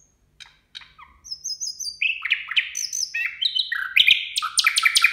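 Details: Nightingale at New Year building from a few soft clicks into dense, loud phrases of swooping chirps, whistles and fast repeated notes that grow steadily stronger.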